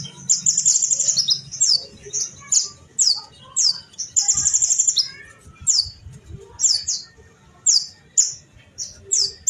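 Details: Sunbirds (kolibri ninja) in a fighting duel, Indonesia: very high, thin chirps and short squeaky trills come in bursts about every second, with brief pauses and a low murmur in the background.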